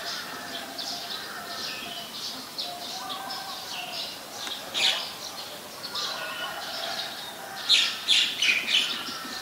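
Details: In Ubon Ratchathani, Thailand, 14 December 2019, an ashy woodswallow gives soft, scattered high chirps over a steady low hum, then a louder quick run of four or five harsh notes near the end.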